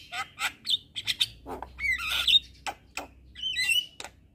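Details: Asian pied starling (jalak kebo) delivering gacor-style song: harsh squawks and chattering bursts alternating with twisting whistled phrases and one high rising slur near the end.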